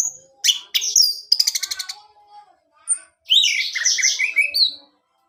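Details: Orange-headed thrush song to prompt a caged male: varied chirps, a quick rattling series of notes, then a loud, complex warbled phrase with faint background sounds.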